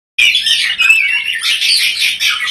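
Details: Green leafbird song played to stimulate a white-rumped shama into singing: a dense, continuous rush of high warbling and chattering notes, loud and unbroken throughout.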